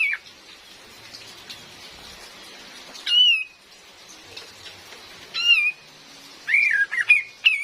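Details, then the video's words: Recorded with real rain, a female cream-vented bulbul used as a lure for forest trapping gives a few scattered descending whistles, then a cluster of twisting slurred notes near the end. "SUARA ASLI KAPAS TEMBAK BETINA || COCOK BUAT PIKAT DAN PANCINGAN"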